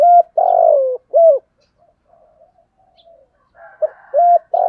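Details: Spotted dove in the giọng thổ calling style, played to lure wild doves: a short coo, a long falling coo and another short note, then a pause with faint murmurs before further coos begin.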